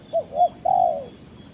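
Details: A spotted dove calls its companion with a quick pair of low coos, then one long, smooth coo that falls in pitch at the end. The background is quiet.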